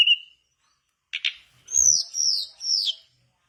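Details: Mangrove blue flycatcher song used as a prompt: a brief whistle, two quick chirps, then three drawn-out, gently falling high whistled phrases with a faint thump in the background.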